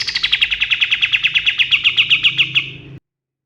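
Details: White-eye known as kapas tembak, male, dawn song from wild forest: a quick rattling sequence of about twenty piercing notes, easing slightly downward in pitch before stopping abruptly.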